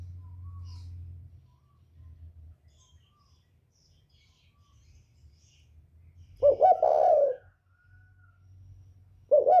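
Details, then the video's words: Spotted dove of the northern type, 'còi bổi' voice, used to provoke birds: low engine-like hum at first, then one loud hoarse coo phrase with a stuttered opening, and the start of another at the end. "Chim cu gáy giọng còi bổi ghét kích chim rất hiệu quả, cu gáy miền bắc"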